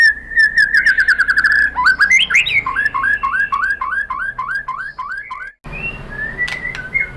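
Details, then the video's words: White-rumped shama lure song to provoke replies from other shamas: a fast buzzy trill, then a rising flourish and a regular chain of looping whistled notes, ending with faint scattered whistles. "MURAI BATU jadi EMOSI NYAUT GACOR ¦ PANCINGAN MURAI ¦ SHAMA BIRD"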